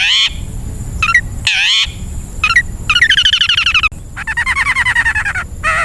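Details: Long-tailed shrike song meant to train caged birds: loud harsh rasping calls mixed with brief hooked notes, followed by two long rapid chattering trills of buzzy notes and a final hooked note.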